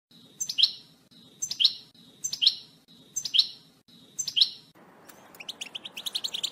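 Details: Male European goldfinches being prepared for breeding give a high chirping phrase repeated about once a second, five times in a row, followed by a quick run of sharp, high twittering notes.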